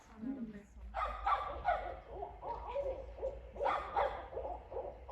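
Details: Barred owl in a backyard giving a string of harsh, barking hoots with rich overtones, bunched into uneven bursts, plus a short low hoot at the start.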